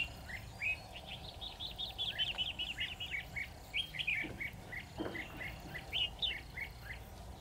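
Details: Trap decoy red-whiskered bulbul aimed at a lone wild bird: a rapid run of chirping, warbled notes, then more spaced phrases, with a couple of soft thuds and steady low hum behind.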